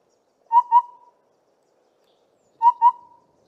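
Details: Southern Boubou near Trumpeter's Drift near Grahamstown giving a low, fluty double 'boo-boo' call that gives the bird its name: two quick hollow notes, repeated after about two seconds, in an otherwise quiet setting.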